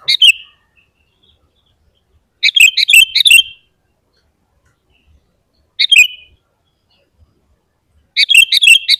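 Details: Actively singing sooty-headed bulbul, a recording to provoke other bulbuls: short bursts of bubbly, liquid chirps alternating with single notes, separated by quiet gaps of two to three seconds.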